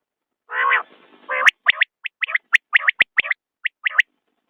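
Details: Common quail: a long hoarse, buzzy rasping note, then a fast run of sharp whistled notes grouped in quick triplets.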